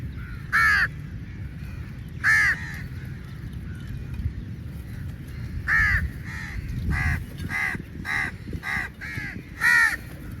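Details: Crows fighting for meat at a feeding: loud, close, harsh caws at intervals of a few seconds, with quieter caws from other birds between them and a steady low rumble beneath.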